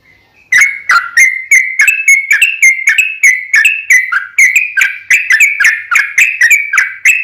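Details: Sooty-headed bulbul song used as bait to make other birds answer: after a faint opening whistle, a fast run of chattering bubbly notes starts and continues evenly, each with a crisp high click.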